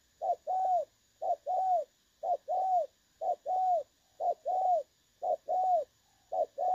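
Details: Clear-voiced 'đồng son' call of a spotted dove, used as a lure when trapping, dated 16 August 2024. A brief coo is followed by a drawn-out, gently arched coo. The pairs repeat steadily each second over near silence.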